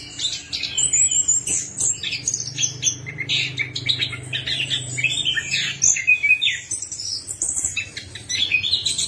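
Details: Song of the orange-headed thrush, used as a lure for a bird that will not sing: varied high twittering, whistles and trills, nearly continuous, with a low hum in the middle seconds.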